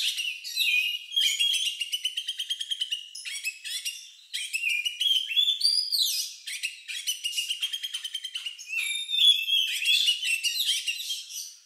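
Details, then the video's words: , an Oriental magpie-robin's unusual song, said to resemble a lovebird, used to provoke other birds into singing. Fast, high chattering trills alternate with sliding whistled notes and buzzy rattles, with no background noise. "Suara Burung Lagu Unik Kacer Ini Cocok Untuk Pancingan"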